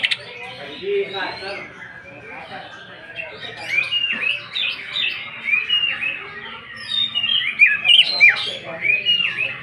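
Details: Greater green leafbird 'nembak' song used as a lure: a busy stream of chattering chirps and short whistles, building toward louder, sharper slurred notes near the end.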